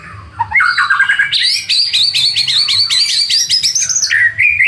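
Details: White-rumped shama song as a rival-provoking lure: descending whistles, then a long rapid run of repeated crisp two-tone notes, ending in lower warbled whistles.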